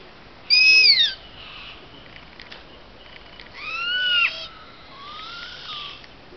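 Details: Captive owls at a bird of prey centre squeak at each other, trading shrill, falling squeals, one sharp and high, then two lower wavering squeaks a few seconds apart, over a faint background hiss.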